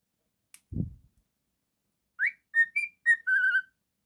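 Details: Indoor pet cockatiel: a soft thump, then five clear whistled notes, rising then level, ending in a longer steady tone, all crisp and bright against a quiet background.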